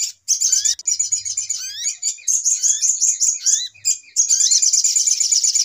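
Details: Brown-throated sunbird in an agitated lure call used for bird trapping: dense, high, rapid chattering trills with short rising slurred notes repeating between bursts, a brief gap near four seconds, then continuous twittering.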